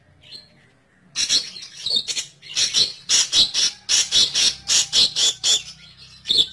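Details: Long-tailed shrike lure for trapping: after a faint opening note, a series of loud, grating squawks roughly two per second, with a low hum underneath.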